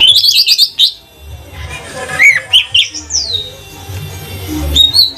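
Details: Lesser green leafbird, trotol type from Banyuwangi, singing as a lure for other birds: a fast trill of high notes opens, followed by varied slurred whistles, some rising, some falling, with pauses and low background rumble.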